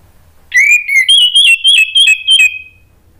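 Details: Lure song of an orange-headed thrush, meant to set other thrushes singing in reply: a bright whistled run of linked notes, steady then stepping up, about two seconds long, with a quiet background.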